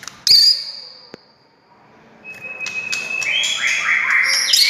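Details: A single sharp note from a white-rumped shama, then near silence, then a long steady whistle that builds into dense, loud, varied warbling. The recording serves as a lure to start other shamas singing.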